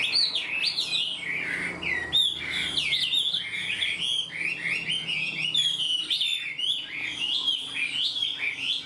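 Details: Caged, newly caught Chinese hwamei that sings readily, delivering a full structured song like a tamed bird: a continuous stream of loud, rich whistled phrases, swooping up and down and repeated in quick varied runs, over a faint low indoor hum.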